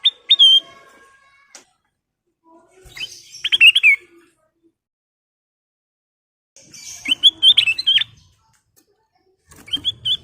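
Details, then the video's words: Golden bulbul (kutilang emas) in full song, used as a lure and as a tutor song for other birds. It sings clear, whistled, warbling phrases in bursts every few seconds, with brief chirps between them and otherwise quiet surroundings. "Kicau Burung Kutilang Emas full isian"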